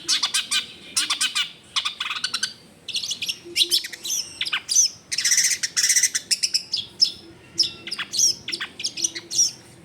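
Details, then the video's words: Long-tailed shrike in vigorous full song rich in varied phrases, recorded at a house in a crowded neighbourhood: dense bursts of sharp chattering and buzzy high notes in quick clusters, short pauses between bursts, faint low background hum. "CENDET GACOR FULL ISIAN MEWAH COCOK BUAT MASTERAN CENDET MACET BUNYI AUTO MENJERIT"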